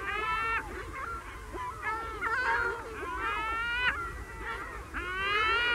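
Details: Herring gulls (Larus argentatus) in a colony give loud, harsh, strongly harmonic yelping long calls and mew calls in overlapping bursts, several birds calling together.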